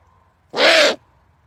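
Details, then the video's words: An owl gives a single harsh, hissing screech lasting about half a second, rough and breathy across a wide range, in an otherwise quiet background. "Funny Owl Sound"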